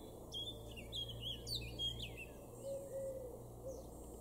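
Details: A male Eurasian blackcap in a garden in Weener, East Frisia, northwest Germany, in May 2022, sings a quick, varied warble of clear fluty notes and short slurs lasting about two seconds, over a low steady hum and a few faint lower notes.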